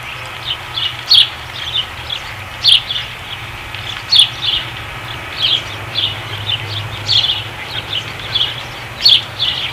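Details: Osprey at a nest at Dunrovin Ranch, 5 August 2016: soft, high chirping notes repeated roughly every one to one and a half seconds, fairly distant, over a low steady hum.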